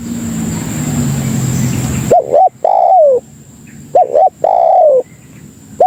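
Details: Lure call of a spotted dove meant to draw in companions: steady hiss for two seconds gives way to clean, mellow coos, a quick two-part note followed by a longer falling coo, repeated twice.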